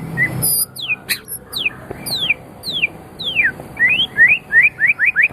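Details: Singing white-rumped shama, recorded as tutor material for songbirds: a run of long downward-sweeping whistles, then a fast series of short rising whistled notes repeated about three per second.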